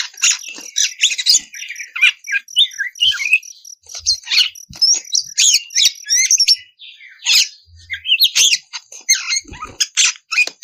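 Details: Continuous ngeplong song of an oriental magpie-robin, meant to make other birds of its kind reply: a long, rich jumble of quick whistles, trills and scratchy high notes with hardly a pause.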